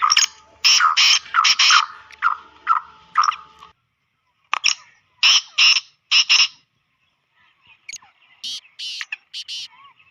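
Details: Black francolin, kala teetar, call meant to attract the bird quickly and bring it into an excited state: harsh, grating bursts grouped in rhythmic phrases, a pause, then a second phrase and a softer scratchy series.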